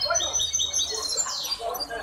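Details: Hybrid goldfinch singing at a song competition held by the Ain Chock association on 23 May 2021: rapid high twittering notes and short buzzy trills, with a quick descending slur near the end and faint voices beneath.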